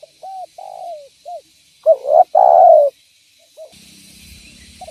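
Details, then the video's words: Spotted dove cooing as a lure for trapping. It gives short and medium coos, then a stuttered lead-in and a long, loud coo, before hissing noise sets in at the end. "Suara Burung Derkuku Gacor Cocok Untuk Pancingan Dan Pikat Tekukur"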